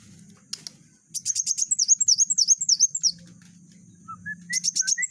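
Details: Van Hasselt's sunbird in chatty, tightly packed rapid-fire song used to tutor other birds: quick runs of very high, dipping whistled notes, about three per second, then a few rising thinner notes and a final rapid burst over a low hum.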